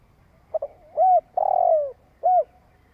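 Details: Spotted dove's long cooing phrase for stirring up a decoy bird: two clipped notes, a rounded coo, a long stuttering coo that slides downward, then one more arched coo. Clean, quiet setting.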